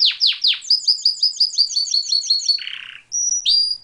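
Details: Canary song with sweeping downward whistles, a run of quick chirping notes, a short buzzy roll and a final high whistle, clear and close.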